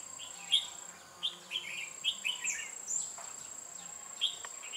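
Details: Decoy red-whiskered bulbul sings while trapping wild birds on 8 October 2017: lively run of loud, sweet, slurred whistled notes, several per second, over a thin high steady tone and faint low hum.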